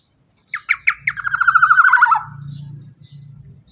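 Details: Loud black-naped oriole in 'teler' style, played to prompt other birds to sing: three piercing notes, then a rapid, rattling, buzzy run descending in pitch. Low background hum after it.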